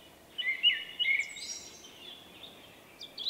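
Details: Shy male common blackbird with a distinctive personal song, March 2024. Brief, fairly faint whistled notes, then a thin high twitter, over steady background hiss.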